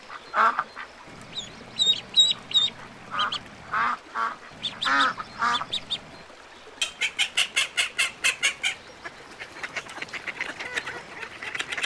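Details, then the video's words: Ducks mix nasal quacks with little ducks' high, thin peeps, then a rapid, evenly spaced string of calls over a low hum. "صوت البط الصغير صوت البش بطوط جميلة"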